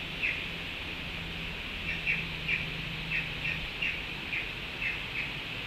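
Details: Collared aracaris at a Panama fruit feeder on 7 October 2021, feeding together on a suspended banana, give short, sharp, high squeaky notes about every half second, with a steady low hum underneath.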